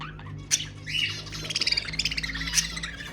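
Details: Budgerigar warble used to stimulate breeding: harsh buzzy squawks and a fast pulsing, rattling chatter in the second half, over a low background hum.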